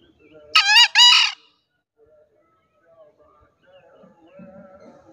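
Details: Green junglefowl crowing in the morning, a recording meant to lure wild junglefowl while hunting: one loud, short, harsh two-part crow lasting under a second, with a brief gap between parts, then a quiet background with faint distant sounds.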